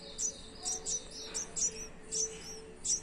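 A young Red-whiskered Bulbul gives thin, very high chirps, about eight in three seconds at an uneven pace, over a faint steady hum.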